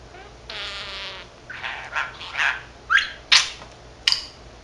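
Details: Pet male budgerigar, 13 months old, chattering away to himself; he speaks Korean and Japanese phrases. Raspy, buzzy mumbling for about a second, then scratchy warbled phrases and a quick run of sharp rising squeaks and chirps, in a quiet room.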